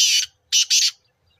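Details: Black francolin (kala teetar) calling near Nawabshah, Pakistan: one harsh, grating note, a short pause, then two loud rasping notes close together. The background is quiet.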